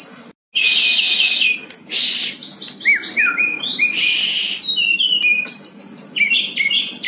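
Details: Lively brown-chested jungle flycatcher song, full of varied phrases, played to coax reluctant birds into singing; high whistles, thin chirps and dense buzzy bursts follow one another almost without pause, with one brief cut early on.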